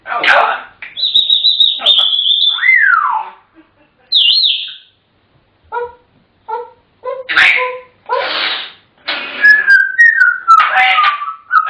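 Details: African grey parrots mixing talk with whistling: long level and falling whistles, a run of short repeated pips, then more chatter and a wavering whistled phrase.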